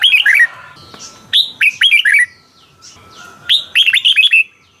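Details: Thai caged Red-whiskered bulbul song meant to make listening birds lively: three brisk phrases of sharp, bouncing whistled notes dropping in pitch, separated by brief quiet gaps.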